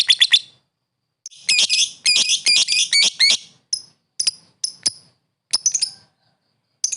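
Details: Lovebird calling to a rival: quick clusters of harsh, high twittering notes, followed by scattered single sharp chirps with short pauses between.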